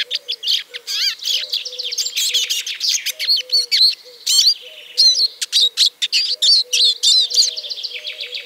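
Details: Song of the Eurasian siskin: rapid high-pitched chattering twitter mixing sharp chirps, looping whistles and short trills almost without pause, a quiet low hum underneath throughout.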